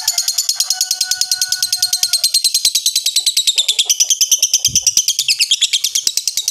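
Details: A coarse lovebird ngekek that winds down slowly like a diesel: a long, very regular, rapid high-pitched pulsing trill, with a faint whistled tone in the first two seconds.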